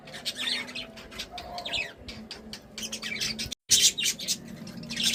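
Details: Cheerful budgerigar chatter of fast, high twittering notes and warbles, broken by a brief silent cut, then resuming with bright squeaky bursts over a faint hum.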